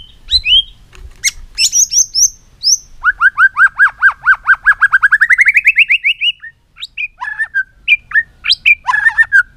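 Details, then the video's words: White-rumped shama song: varied opening whistles, then a long accelerating series of arched notes rising steadily in pitch, followed by scattered sharp calls. "chòe lửa hót giọng dây dài"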